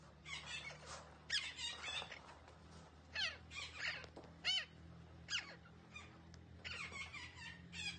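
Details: Green parrot producing a varied string of downward-sliding squawks, short whistles and raspy chatter, with a constant low hum underneath.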